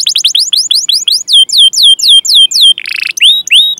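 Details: Canary song used as training material to prompt young or silent canaries to sing: rapid downward-sweeping chirps speeding into a fast trill, then a buzzy burst and a few rising upslurred whistles.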